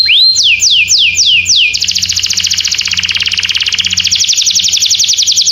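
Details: Canary opening with a rising whistle and five descending sweeps, then breaking into a long, fast, rhythmic high trill. A faint low hum sits underneath.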